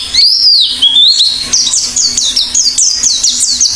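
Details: Oriental white-eye song opens with a sweet, wavering high whistle, then breaks into a fast series of sharp, descending chirps. A low background hum is audible.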